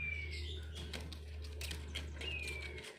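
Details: King quail, called puyuh batu or pipikau, in the 'ngorok' style: two thin whistles that slide downward, one at the start and one near the end, over a steady low hum and scattered clicks.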